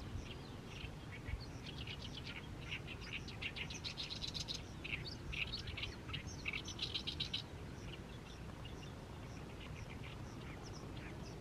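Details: Oriental reed warbler in a fallow rice field in mid-May, singing continuously in evening sunlight: loud grating, chattering phrases of rapid repeated notes, some buzzy and scratchy, run together over about seven seconds, then quieter notes, over low background rumble.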